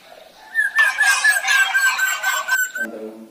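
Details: Singing male black drongo, a lure to set other birds singing: a harsh, buzzy, rasping phrase over a steady whistled tone for about two seconds, ending in a low, nasal harmonic note.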